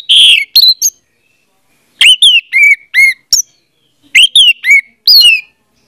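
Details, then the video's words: Lure song of an orange-headed thrush to make a silent one sing: clear downward-slurred whistles in short groups of three or four, repeated roughly every one to two seconds. "audio suara anis merah || pancingan ampuh untuk ania merah membisu"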